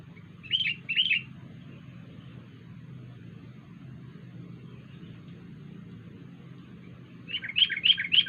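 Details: Wild sooty-headed bulbul making an unusual call: two short bubbly chirps early on, a long quiet stretch, then four brisk, rising chirped notes in quick succession near the end, over a steady low background hum.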